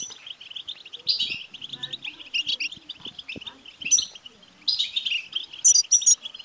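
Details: European goldfinch btbta song for stimulating a male goldfinch, made of busy liquid twittering with high buzzy flourishes near the end. Faint low taps and scrapes sound underneath.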